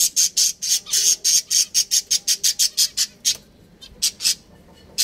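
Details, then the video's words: Pet budgerigar breeding pair kept at home: a fast run of harsh, squawky high chirps, about a dozen evenly spaced notes in three seconds, then a pause and a few more short chirps. "Relaxing Bird Sounds | Budgies Breeding Pair"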